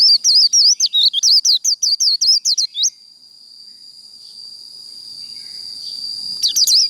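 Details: Japanese white-eye fighting song in the Vietnamese 'khuyên líu' style: nearly three seconds of quick, rolling high twitters, then a long steady thin whine and a brief final flourish.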